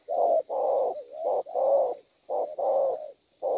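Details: Spotted dove, wild-caught, in a strong gù cooing bout: a run of deep, hoarse coos, some drawn out and some short, one sliding into the next, with a closing clipped note.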